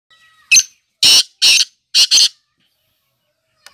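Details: Black francolin (kala teetar) giving its harsh, grating call: one short scratchy note, then two rasping notes and a quick doubled note, all broad and buzzy, followed by quiet. A faint thin whistle is heard before the call.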